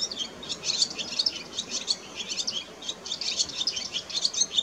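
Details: Wild barn swallow song, recorded around mating: an unbroken stream of sharp, high chirps and warbling twitters delivered in quick irregular bursts, with light background hiss.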